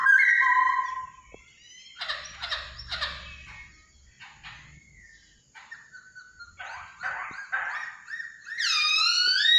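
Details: Masked laughingthrush singing: clear whistled notes open the phrase, then bursts of harsh, chattering notes, more varied whistles and a high, rising, slurred whistle at the end.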